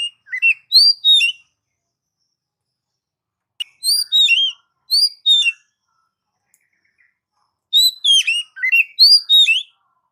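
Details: Melodious Oriental magpie-robin song used to lure and train pet birds: three clusters of quick sweeping whistled chirps with pauses of about two seconds between them.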